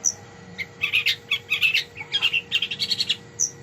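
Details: Long-tailed shrike, prized by song-bird hobbyists, in a rich varied song of rapid warbled and chattering notes delivered in quick bursts, over a steady electrical-sounding hum.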